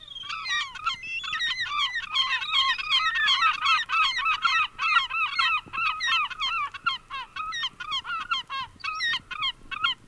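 Herring Gull giving a dense, continuous series of harsh, honking yelps and mewing squeals, overlapping in a busy chorus of several birds.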